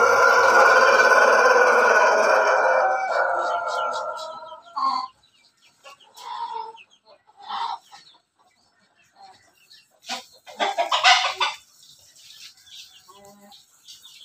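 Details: Pelung-Bangkok crossbred rooster crowing in the morning sun: one long, loud, rich crow held for nearly five seconds and fading out, then scattered short clucks, bumps and a brief harsh burst.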